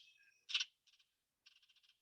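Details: A House Wren, in spring, scolds angrily, as wrens do when approached in a shrub or tree: one harsh, buzzy burst followed by two quick runs of dry, raspy chattering notes, high-pitched and rapid.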